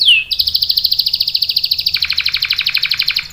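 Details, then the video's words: Lively canary singing a long roll, used to prompt other canaries and to tutor young birds: a quick downward sweep, then a rapid high pulsed trill of about nine notes a second that shifts to a fuller, lower-reaching phrase midway. "KENARI GACOR NGEROL panjang bagus untuk PANCINGAN dan MASTERAN paud | CANARY SINGING"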